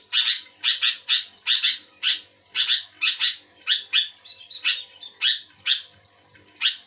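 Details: Sooty-headed bulbul singing actively in reply to another bulbul: a dense, steady series of rasping chirps, often paired, repeated several times a second, with faint low hum underneath.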